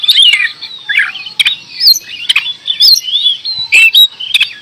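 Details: Short stretch of kacer gacor door song from an oriental magpie-robin: smooth, wavering whistles between loud clicks and rasping chips, steady and unbroken.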